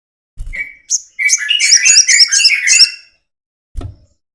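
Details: Crested jay, recorded as a lure to make other birds sing: a brief lower whistle, then a dense run of high chattering notes with warbling lower tones lasting about two seconds, bracketed by soft low thumps.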